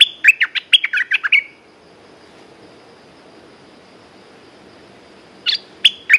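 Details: Red-whiskered bulbul kept in a cage gives a quick run of sharp chirping notes, then falls silent for several seconds before a brief two-note phrase at the end.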